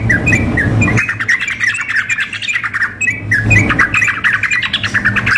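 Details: Sooty-headed bulbuls in a contest-simulation mix of a female calling a male with a lively singer: rapid clustered chirps and squawky notes in two main bursts, with noisy low thuds around them.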